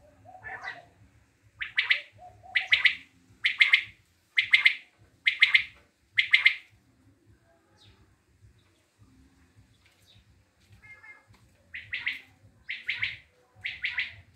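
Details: Common quail recorded in Tajikistan calling in bursts: a soft opening note, then seven loud, clipped triple-note phrases about one second apart, a pause, and three more, with a faint low hum underneath.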